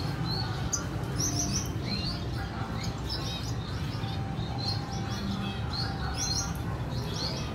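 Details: Red siskin, a female tending her chick at feeding, 14 April 2021; high sharp chirps repeat about every second in short bursts, over continuous low hum.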